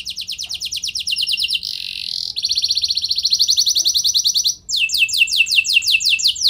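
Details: Pancingan song of a gacor canary that prompts other canaries to reply. Rapid high trills are broken by a brief buzzy note, followed by a string of swept, slurred notes.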